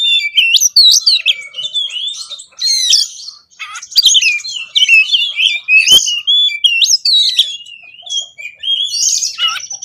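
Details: Loud oriental magpie-robin song, konslet style with many varied phrases, used to coax reluctant birds to sing: fast sequences of sliding whistles, sharp up-sweeps and chattering notes, almost unbroken throughout.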